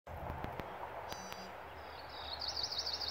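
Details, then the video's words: At Ottawa Lake Recreation Area, Kettle Moraine State Forest, a Cerulean warbler gives a high, thin buzzy phrase rising into a fast buzzing trill, over a steady low rumble and a few faint clicks. "Cerulean Warbler"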